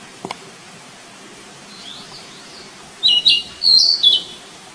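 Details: Flycatcher in the wild gives two short bursts of high, slurred chirping notes after faint distant twitters, over steady background hiss.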